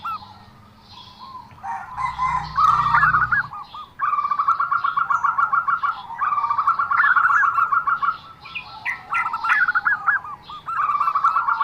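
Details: Zebra dove in an odd calling bout: rapid pulsed cooing runs broken by higher warbled flourishes, repeated over several phrases, with a brief low rumble near the start.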